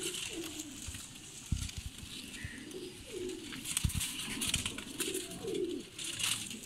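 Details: Cooing from Salaray Teddy pigeons, a domestic breed offered for sale. Soft falling coos come one after another at intervals of about two seconds, with scattered clicks and shuffling.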